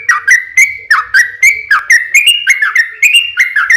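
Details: Lure song of a yellow-vented bulbul, long and vigorous, aimed at making other bulbuls respond. Steady string of sharp, slurred whistled notes, each swooping down then up, about four per second.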